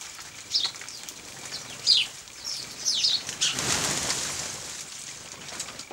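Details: Several house sparrows bathing in dust and water at freezing point, 14 December 2009: bright, quick descending chirps repeated every second or so, then a loud burst of splashing and wing-flapping lasting about a second.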